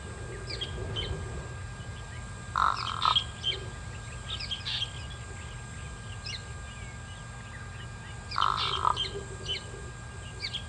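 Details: Pied crow at Kwa Maritane, recorded 14 October 2021. Two harsh, raspy double caws about six seconds apart stand out over steady hum, with faint high chirps of other birds scattered throughout.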